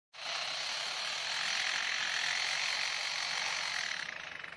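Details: A zoo lyrebird mimics construction work once carried out nearby: a steady, harsh, rasping whirr like a ratchet or power tool, held about four seconds before breaking into rapid clicks.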